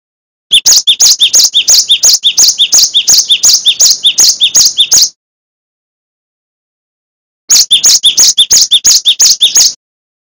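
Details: Cinereous tit singing in nonstop gacor style as a master song for songbird training. Two long bursts of rapid, piercing paired notes are separated by a pause of about two seconds, with nothing else heard.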